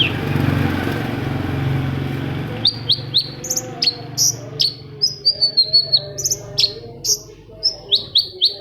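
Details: Long-tailed shrike song played as a lure to get silent shrikes singing: after about two and a half seconds of low rumbling hum, a lively run of sharp, high chirps and short clipped notes comes in quick irregular bursts.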